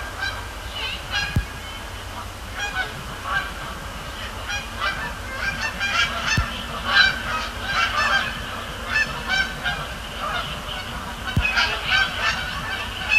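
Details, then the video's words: Canada geese calling on a Thursday night at Sapsucker Woods Pond, Cornell Lab of Ornithology; scattered honks building into a thicker chorus of many birds, with occasional sharp clicks. "Canada Geese, Thursday night at Sapsucker Woods"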